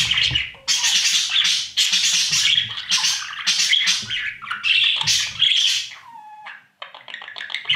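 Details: Nest-box budgerigar chicks being fed by their parents: a near-continuous, dense chorus of harsh, buzzy squawks. The chorus briefly drops to a thin falling whistle, then resumes as faster clipped chatter.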